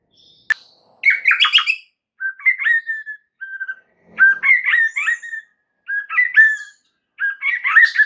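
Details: White-rumped shama singing a lure song meant to trigger a reply from other shamas. It opens with a sharp click, then gives bursts of warbled, whistled phrases separated by short pauses.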